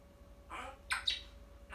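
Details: Young pet parrot, a few months old, indoors and conversing with its mother: a few short, harsh squawks in quick succession, with a steady low hum in the background.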